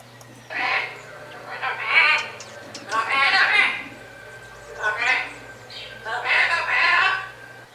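A macaw gives harsh, raspy squawks in short bursts, repeated every second or so.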